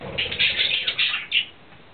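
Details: Courting male budgerigar, April 2009, giving a short loud burst of harsh, buzzy chatter that stops abruptly after about a second and a half.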